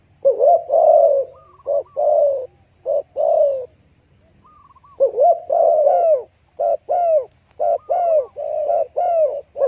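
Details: Spotted dove cooing in series of short mellow notes, a pause near the middle, then faster overlapping coos, possibly a second dove calling alongside.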